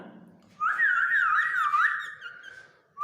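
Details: Indian ringneck parakeet, a pet talking bird that also dances, whistling indoors: one sustained wavering whistle lasting over a second, warbling up and down, followed by a rising note cut short at the end.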